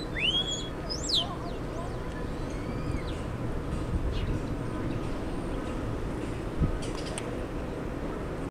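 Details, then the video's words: A starling gives a quick burst of sweeping whistles and squeaks, then scattered clicks, over a steady low rumble of background noise; described as weird bird noises. "Starling sounds"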